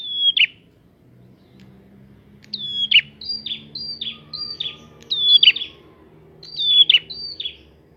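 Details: Prinia singing, played as a lure to stir other prinias: after a pause, quick bursts of high whistled notes that drop and flatten, each closing in a harsh buzzy flourish, clustered in pairs. Faint low rumble underneath.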